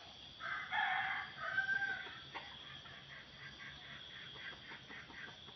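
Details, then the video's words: A red junglefowl gives a facing crow during lure trapping at a swamp-scrub edge, a loud, harsh crow of about two seconds, clipped and broken mid-way; the owner finds it resembles a village chicken's crow. "kokok hadap"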